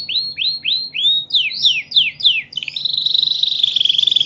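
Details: Champion canary singing a series of bright downward-sweeping whistles, about three a second, breaking into a fast rolling high trill held to the end.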